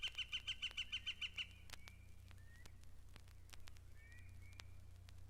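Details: A Wood Duck at Mountain Lake Sanctuary, Lake Wales, Florida, where the ducks nest in boxes in the trees and are unafraid, gives thin, squealing, rising, slurred whistles, opening with a burst of about eight sharp, high notes over a low hum.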